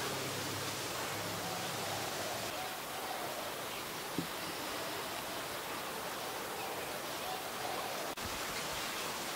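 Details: Steady rushing noise like flowing water, with a single soft knock midway and a brief click near the end.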